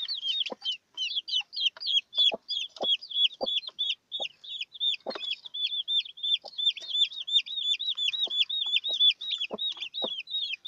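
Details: Newly hatched chicks with their broody hen peep nonstop in high thin cheeps falling in pitch, about three per second, with occasional low clucks and clicks underneath.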